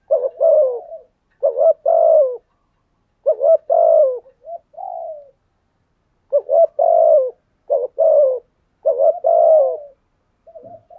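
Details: Spotted dove cooing a full thúc gù sequence that provokes wild doves into answering: about seven mellow, throaty coo phrases in clustered pairs, with a longer pause midway, recorded close and quiet.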